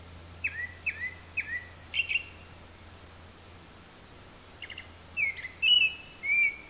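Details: Japanese thrush, heard from far up in the treetops, mimicking various calls: four crisp repeated down-slurred whistles, a silence, then quick doubled notes and rich warbled phrases.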